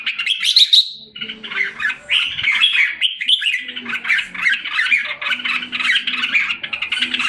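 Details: Caged red-whiskered bulbul from Singapore, recorded July 2017 while coming back into form, opens with a high bright flourish, pauses briefly, then continues in steady scratchy warbling phrases above a faint low background hum.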